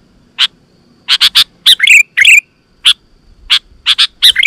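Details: Sooty-headed bulbul song used to provoke wild bulbuls to respond: scattered sharp clicks and short chip notes mixed with a few bubbly, falling whistled phrases, spaced irregularly with gaps between.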